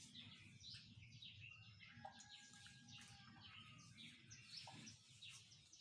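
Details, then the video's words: Morning birdsong from many birds at once: busy high twitters and chirps overlapping throughout, a few thin steady whistled tones, over a soft low hum. "Birds are singing in Morning."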